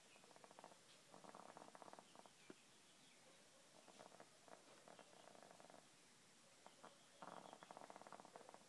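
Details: Easter Egger hen with an upper respiratory infection, on antibiotics, coughing, sneezing and with heavy nasal drainage, trying to sleep: raspy, rattling breaths come in three bursts of rapid crackling pulses, separated by quieter wheezy pauses.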